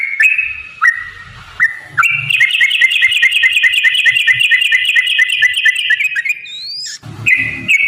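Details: Yellow-vented bulbul song used as a lure to prompt other bulbuls to answer: sweet whistled phrases, then a long fast rolling trill of repeated chirps held for about four seconds, ending in a rising note and more whistled phrases.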